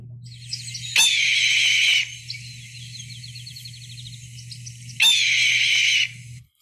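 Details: A red-tailed hawk, a common bird of prey in the SF Bay Area, gives two harsh, hoarse, descending screams, each about a second long and four seconds apart, with faint twittering between and a steady low hum.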